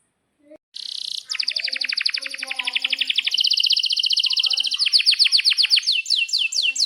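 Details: Atlantic canary in full song, used as a tutor for young canaries learning to sing: rapid high trills, each note repeated several times a second, shifting through buzzy rolls and then sweeping downslurred whistles near the end.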